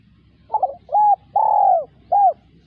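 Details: Full coo phrase of a spotted dove: a quick broken stutter, a flat hooting note, a long sliding falling coo and a short arched ending, mellow and low-pitched with a soft background hum.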